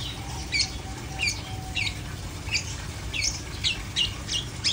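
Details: Long-tailed shrike song: harsh, downward-sweeping high notes repeated irregularly, roughly every half second to second, over a steady low background hum.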